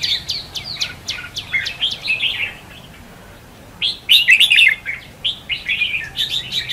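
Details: Red-whiskered bulbul singing in contest style, a decoy sound used to lure birds for trapping: rapid chirpy whistled phrases, a pause of about a second, then a louder tumbling burst of notes.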